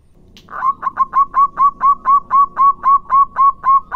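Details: Local Indonesian zebra dove in full song, played to prompt other doves to answer: a steady, even run of about fourteen short, hollow coo notes, roughly four per second, over a low background murmur.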